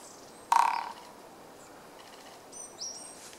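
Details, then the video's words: Japanese pygmy woodpecker recorded up close on 8 March 2014, drumming somewhat slowly: a single brief roll of rapid knocks that quickly dies away. Later, thin high-pitched bird calls follow from another bird. "コゲラ"Dendrocopos kizuki"の鳴き声（ドラミング）"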